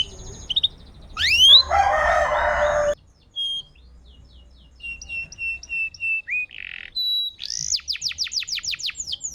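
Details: Canary singing on a training recording for canaries that have gone quiet; a rising whistle and harsh buzzy burst, then thin high notes, a short rattle and a fast trill of swept notes.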